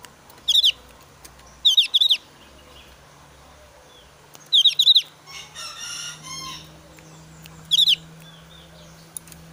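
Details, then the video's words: Javan grey-throated white-eye in breeding season, emotionally charged and challenging a rival, delivers short bursts of high, sharp doubled notes at irregular intervals, with a faint buzzy sound and other birds in the background. "opior jawa gacor emosi tinggi"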